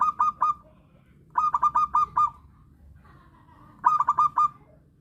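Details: Local zebra dove, in its natural voice, used as a lure call for trapping wild doves; three bursts of quick, rolling, hollow coos, each a rapid run of four to six notes, separated by short pauses.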